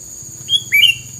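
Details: Short bird phrase: one level whistle, then a rising slurred note ending in a bright trill, against a steady high whine and soft low rumble.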